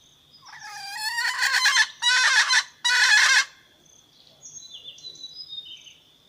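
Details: Red junglefowl hen calling a rooster, used to lure wild birds that reply: three strong calls, the first drawn out and rising, the next two short and clipped, followed by a steady high insect whine and faint chirps.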